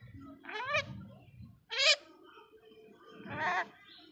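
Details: A pet common myna learning to talk gives three short, nasal, word-like calls about a second apart, rich and slightly bleating, copying human speech, with its owner prompting it with names.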